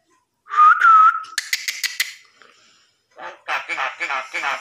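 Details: Common myna living freely in a family home and mimicking human speech: a steady whistle, then sharp clicking pulses, a pause, and a run of speech-like chattering syllables.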